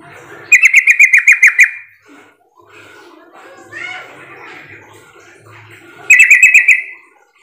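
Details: Sooty-headed bulbul lure call, used to provoke other bulbuls into answering: two bursts of about eight rapid, sharp, chirping notes, each burst lasting about a second, separated by a quieter stretch of faint chatter.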